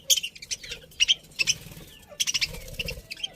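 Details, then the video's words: Pet budgerigar colony, described as happy, trading bright high chirps in quick pairs and clusters, separated by short pauses, over faint low background noise. "Happy Budgies Chirping Sounds"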